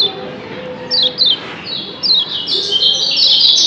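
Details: Yellow white-eye from Lombok, kept as a cage bird, giving a double 'ciak' call: brief high chirps near the start, then a denser run of bright, thin, twittering notes building toward the end.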